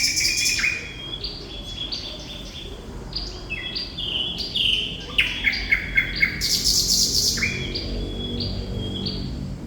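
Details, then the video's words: Vigorous thrush nightingale (sikatan londo) song: chains of rising and falling whistles, a rapid clicking rattle and a loud buzzy trill, delivered in quick varied phrases over faint low hum. "Sikatan Londo Thrush Nightingale Gacor"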